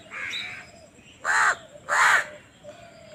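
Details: Young crow begging for food as it is fed, giving two loud, raspy, drawn-out caws about 0.6 seconds apart, with fainter calls before and after.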